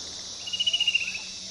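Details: A single brief downward-sliding pulsed trill from a fan-tailed cuckoo (Cacomantis flabelliformis), set against continuous shrill insect noise.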